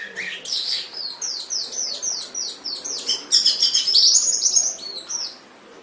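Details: Canary singing a high, sweet series of repeated down-slurred whistles, speeding into a dense twittering roll and a sustained high note before fading, from an Indonesian master recording used to train pet canaries.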